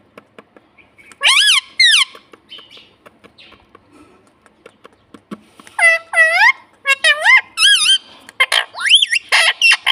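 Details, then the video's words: Talking pet parrot copying "mummy" and "papa": a loud pair of curved, harmonic notes, then quieter ticks, then a dense string of swooping, nasal syllables toward the end. "parrot talking papa"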